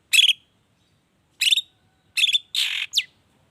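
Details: Long-tailed shrike (cendet) lure recording in the 'toet toet' variation, used to make shrikes sing: spaced raspy notes, then a buzzy grating burst and a quick whistled slur.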